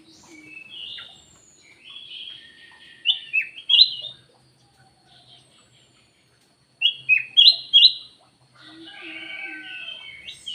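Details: Kutilang emas (ruby-throated bulbul), a lure call in the gacor style: bright whistled phrases of quick rising and falling notes around the upper range. Two loud bursts come near three and seven seconds, with quieter chattering between them and a silent gap.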